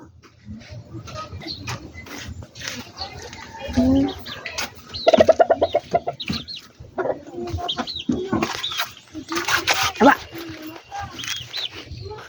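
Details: Backyard poultry, chickens kept by a breeder, giving mixed clucks and squawks, with a run of rapid loud pulsed clucks in the middle and scattered cackles, over a busy yard background of other fowl.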